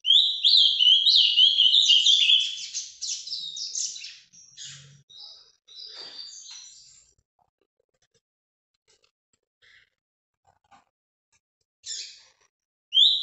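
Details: Ultramarine grosbeak (azulão) of the Paraná type, a kept bird, sings a rich warbled phrase of rapid whistled notes for about four seconds, then softer scattered notes, near silence, and a brief phrase near the end.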